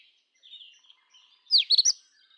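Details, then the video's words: Indian robin (Copsychus fulicatus) singing: a few soft high notes, then one loud burst of sharp, sweeping whistled notes near the end, with quiet gaps on either side. "Indian Robin Sound ! Indian Robin Singing Song ! Indian Robin Call"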